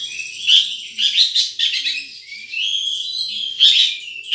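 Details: Wild sunbird giving a rapid run of high, thin chirps and twittering notes, with sharp accented peaks and short trills, continuing without pause.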